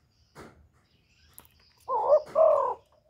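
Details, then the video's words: Spotted dove from Cà Mau used to excite decoy doves: after a faint rustle, one double coo, a short throaty note and a longer warbling one, closing with silence. "TIẾNG CHIM KÍCH MỒI KÍCH BỔI CỰC HAY CỰC CHUẨN, CU GÁY CÀ MAU, GÁC CU GÁY, TIẾNG CHIM KHÔNG TẠP ÂM"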